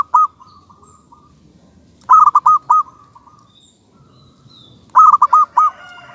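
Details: Local zebra dove song: clipped bursts of four emphatic coos roughly every three seconds, each trailing into a faint bubbling tail, other doves soft behind.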